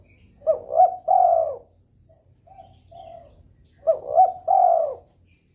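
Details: Calling to spur rivals into calling, a spotted dove in breeding mood gives two full phrases about three seconds apart, each two quick rising coos then a drawn-out mellow coo, with soft notes between.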